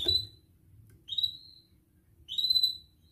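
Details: Canary training song for young canaries: three clear, high, drawn-out whistled notes about a second apart, each slightly sliding, over a low rumbling background hum.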